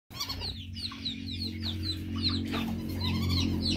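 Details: Male whistling duck calling, recorded for use as a hunting lure: a rapid series of clear, thin, downward-slurred whistles, about four a second, with a steady low hum underneath throughout.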